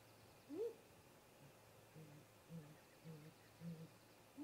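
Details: Great grey owl pair visiting their nest snag in late afternoon. One clear rising upslurred call opens, followed by four soft, low hoots spaced about half a second apart, over quiet background hiss.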